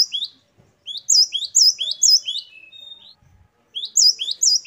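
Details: Great tit (gelatik batu) singing in varied style: bright upslurred whistled notes in quick bursts of four to five, a short gap, then a thin level whistle before the phrases return.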